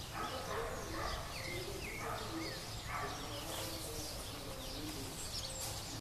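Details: At Paudalho, Pernambuco, a shiny cowbird attempts to parasitise a green-backed becard's nest; clear upslurred whistles repeat about once a second amid busy high chirping from other birds and steady background rumble.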